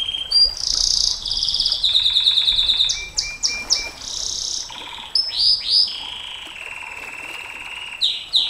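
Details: Long-firing canary song used as a master recording for training and luring champion canaries: varied high rolling trills, sweeping whistles and rapid buzzy runs changing every second or two, continuous and loud throughout.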